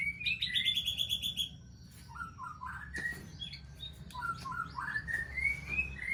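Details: White-rumped shama of the Aceh type, singing in the Balak Sabang poligami style: bright whistled phrases, first a fast trilled run near the top, then short slurred notes climbing in steps, over a low steady hum.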